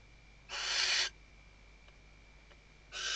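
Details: Western barn owl female calling her mate while arranging the nest, Ebro Delta, Tarragona, Spain, 2023, nest webcam; one loud, rasping, breathy screech lasting about half a second, then a second screech starting at the end.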